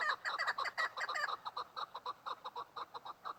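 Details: Female chukar partridge calling in a fast, excited burst of overlapping clucks that settles into a regular series of separate chuk notes, roughly two per second.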